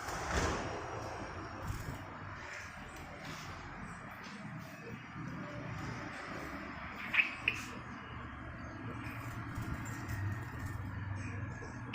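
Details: Steady low rumble and background hiss with a couple of brief knocks near the middle, and no clear bird or other animal voice.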